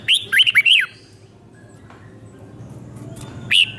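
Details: Red-whiskered bulbul five-syllable doubled song for young birds to copy; a brief run of four lilting whistled notes, a long hushed gap, then one more whistle.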